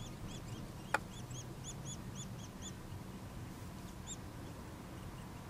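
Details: Nuttall's woodpecker chicks being fed produce a short run of high, arched squeaks, roughly five per second, then a pause and a few more, after a single sharp tap, over a low drone.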